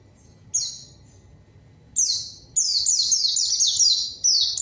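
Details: White-eye singing as a lure for a rival: two isolated high falling notes, then a longer rapid chain of descending slurred notes and a final note.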